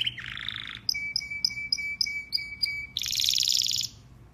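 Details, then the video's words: Domestic canary (Serinus canaria domestica), male, sings a bright, varied phrase: buzzy opening, quick repeated chirps over a steady whistled tone, then a fast rattling trill. "Canary Singing birds sounds at its best | Melodies Canary Bird song"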